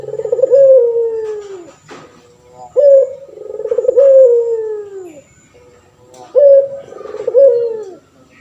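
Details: Male puter pelung turtle dove calling actively, kept as a tutor bird for training others: three long cooing phrases, each opening with a sharp note, then a trembling middle and a drawn-out falling coo, roughly every three seconds.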